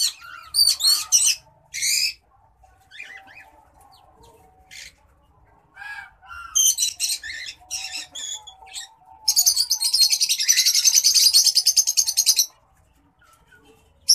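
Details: White-headed munia (Lonchura maja), an estrildid finch, during courtship: scattered soft high notes and short breathy bursts, then a sustained three-second rapid trilling buzz, very high and dense, ending abruptly, followed by quiet.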